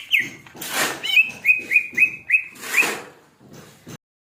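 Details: Greater green leafbird described as OB (over-aroused) singing a string of about six evenly spaced, slightly downslurred whistled notes, roughly four per second, between bursts of rustling and knocking noise.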